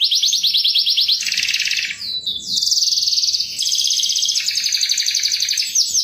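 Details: Canary lure song for prompting other birds; continuous rapid trills in sustained blocks, each run of repeated notes switching abruptly to another pitch, with a faint low background rumble.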